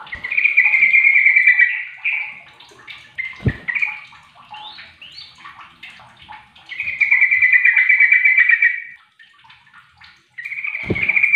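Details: Sooty-headed bulbul calling others that reply back and forth; long, rich bubbling trills alternating with shorter chirpy notes, a couple of sharp clicks between phrases.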